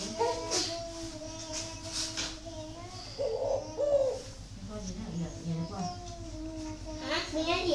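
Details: Caged spotted dove in a northern Vietnamese aviary near Ba Vì, Hanoi, uttering one clear, low, rolling coo midway, surrounded by other birds' steady whistled notes and nearby human voices.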